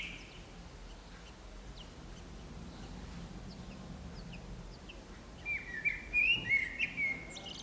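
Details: Common blackbird singing on an antenna in the town centre of San Martín, Zamudio, Txorierri, Bizkaia, on 18 April 2019. Five seconds of low background hum, then a short fluty warbled phrase ending in soft twittering notes.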